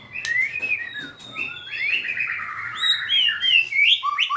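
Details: A white-rumped shama sings while dancing and wagging its tail, a continuous melodious warble of slurred whistles rising and falling, with higher bright notes and a quick descending flourish at the end.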